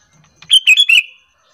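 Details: A Sooty-headed Bulbul lure call, used to provoke other bulbuls into answering: a quick, bubbly phrase of three bright, liquid, mid-high, slightly rolling notes in under a second against a quiet background.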